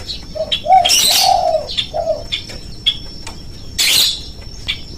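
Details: Spotted dove lure recording used to get birds calling quickly: low soft coos in short rounded notes, a run of three mid-clip, mixed with higher chirps from other birds and two loud bursts of flapping wings.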